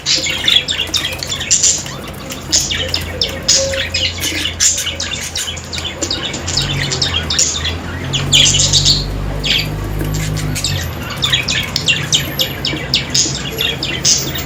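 Budgerigars keep up a busy chatter of high, scratchy chirps and squawks.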